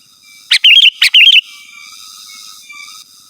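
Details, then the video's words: Sooty-headed bulbul in lively song used to call rivals and to lure wild birds: two loud phrases, each a sharp opening note followed by a bubbly, warbling whistle, given in quick succession, then a faint steady background hum. "Suara Burung KUTILANG GACOR Asli Tanpa ISIAN Ampun Untuk Suara Panggilan dan Masteran"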